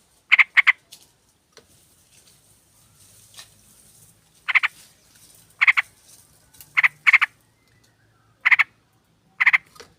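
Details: Sooty-headed bulbul female calling a male, used as lure: sparse harsh chattering bursts, single or paired, spaced one to two seconds apart, with a faint hiss and soft background noise between.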